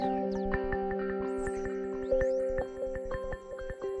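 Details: Gentle instrumental music with plucked, bell-like notes and sustained tones plays with no animal sound.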